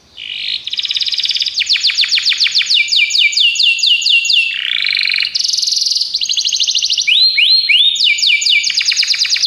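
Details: Belgian canary training song: fast bright rolls, a run of descending sweeps, a lower buzzy trill, a high roll, then repeated curved slurs and more sweeps, continuous and loud.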